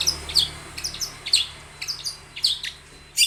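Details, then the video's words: Long-tailed shrike in lively song, a lure to prompt other shrikes to call back. Sharp, high, downslurred chips come in irregular bursts about twice a second over a faint low hum. "SUARA cendet Gacor full varian pancingan cendet agar bunyi"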